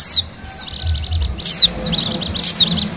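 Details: Lure recording of a wild Bali white-eye: quick descending whistled slurs followed by rapid, bright chattering trills, dense and high-pitched, continuous over a few seconds with a low background rumble.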